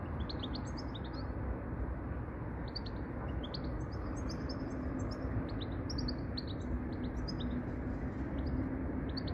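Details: A goldfinch in the UK gives quick, tinkling twitters of high, bright notes in loose bursts throughout, over a heavy low rumble of wind or distant traffic.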